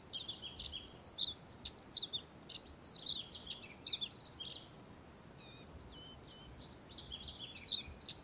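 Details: A male Karoo scrub robin sings from the top of a bush in early morning: a brisk, scratchy run of short high notes and quick warbled phrases, almost without pause, over a quiet outdoor background.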